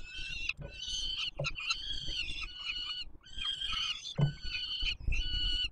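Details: Peregrine falcon chicks begging while an adult feeds them at the Palace of Culture and Science nest in Warsaw, Poland, 7 July 2022: harsh, rasping wails with rich overtones, in bursts broken by short gaps, over low rumbling background noise.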